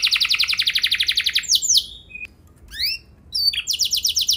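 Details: Canary pancingan song for triggering other canaries' long rolls: a rapid pulsed trill, then falling slurred whistles. Scattered short chips with small gaps follow before the quick trill resumes.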